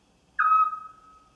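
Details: A scops owl sings a territorial "go away" song: a single clear, mellow whistled note that dips slightly at the start, then holds steady and fades. Nothing else is heard.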